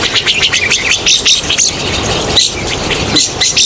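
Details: Rosy starling calls played as a hunting lure: dense, harsh chattering and squeaky notes from many birds at once, rapid and overlapping, with short whistled accents over a constant hiss of background noise.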